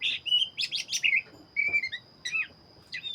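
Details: Energetic song from an Oriental magpie-robin of the black-chested form: loud rising and falling whistles and rapid buzzy notes in clustered bursts, broken by brief quiet gaps, over a faint constant high tone.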